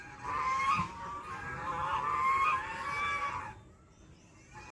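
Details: Ducks calling unusually in a forest: one sustained, wavering nasal honk lasting about three seconds, then fading into near quiet with a faint last note.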